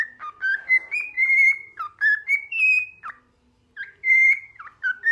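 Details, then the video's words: A tame bird perched on a finger sings clear, whistled phrases of sliding notes that rise and fall, with brief pauses between bursts. "singing bird"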